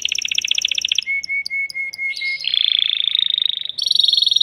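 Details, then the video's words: Excited caged male canary singing to prepare a female for mating: a fast pulsing trill, a thin repeated whistle, then sustained buzzy rolls changing pitch. "تغريد ذكر كناري هائج يريد تكسير القفص يحفز الأنثي لتزاوج"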